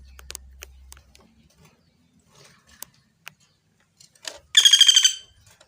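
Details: Pelatuk bawang woodpecker on a clear training recording: scattered soft clicks and ticks, then a short, loud, fast rattling burst of repeated buzzy notes near the end, about three-quarters of a second long.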